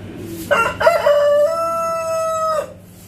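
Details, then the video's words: A giant Brahma rooster gives one full crow: two short rough opening notes, then a long, steady, hoarse drawn-out tone lasting about a second and a half before it breaks off. "Giant brahma crowing | Rooster crowing sounds"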